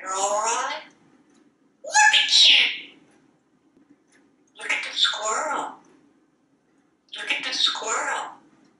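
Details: Male African Grey Parrot kept as a pet in a Texas home, talking from a kitchen faucet. Four bursts of speech-like chatter about a second long, each roughly two seconds apart, over a faint low hum.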